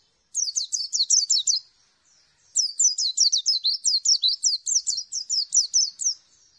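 A white-eye sings two bursts of rapid, high, thin twittering, a short phrase and then a longer run of quick sweeping notes with a brief pause between.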